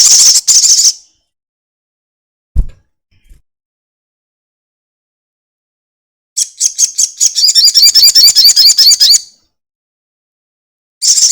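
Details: Crested jay, a lure recording of its long rattle for prompting other birds to sing: a loud dry rattle, a soft low knock, then a nearly three-second run of rapid, regular high pulses.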